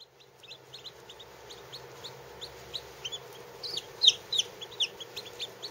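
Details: Lavender Orpington chicks under a day old, some only hours old, kept under a heat lamp: high thin peeps rising and falling in irregular quick bursts, growing louder and denser toward the end, over a steady low hum.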